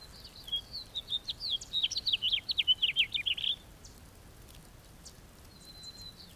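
A house finch sings a lively, warbling run of quick varied notes lasting about three seconds, ending in a slurred burst, with a faint thin whistle afterward.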